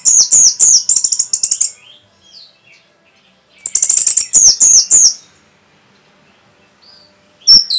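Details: Orange-headed thrush in rapid song intended to rile up other birds: dense bursts of very high, trilled and slurred whistles, a quiet gap with faint notes, then a second fast burst and a final sharp note.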